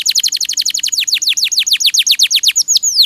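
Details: Canary singing for songbird tutoring; a steady rapid series of loud downward-sweeping notes, roughly six per second, ending with a longer slurred whistle.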